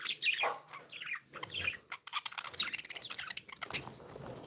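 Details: Happy pet budgerigars produce scratchy warbling chirps and fast rattled notes in a continuous chatter over low background hum.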